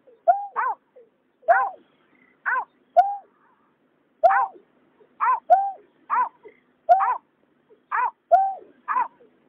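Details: Water rail pair, male and female, recorded in 2021, giving bright, ringing, downward-bending notes in loose clusters. Pauses vary, and softer short calls are mixed in.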